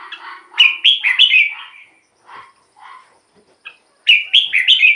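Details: Red-whiskered bulbul song meant to lure wild birds or excite caged ones; lively clusters of liquid whistled notes, a quieter low chattering between, then another loud bubbly burst at the end.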